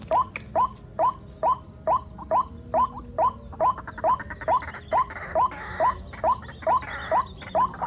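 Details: A rhythmic chain of short upward-sliding squeaks from rainy-season white-breasted waterhen chicks, about two each second, with some brief rustling noise partway through.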